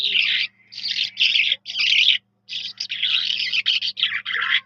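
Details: Energetic skylark (Jal Mashadi) song, a near-continuous stream of buzzy, high-pitched trilling bursts with only a short break, backed by a faint low hum.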